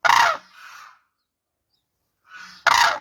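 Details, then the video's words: Two loud, harsh crane blasts at the start and end, each with a fading rough tail, separated by more than a second of silence. "crane birds sound"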